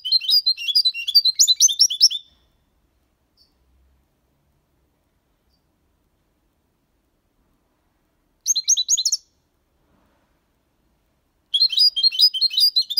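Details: Young goldfinch of six months in Malaga copy style, singing in three separate bursts of fast, high, jangling twitters with long silent stretches between them.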